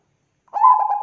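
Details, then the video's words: Bangkok-type zebra dove (perkutut) singing eagerly as lure sound: a loud coo begins after a brief pause, steady in pitch, with a soft rapid tremolo rippling through it. Clean, no background. "PANCINGAN PERKUTUT BANGKOK GACOR"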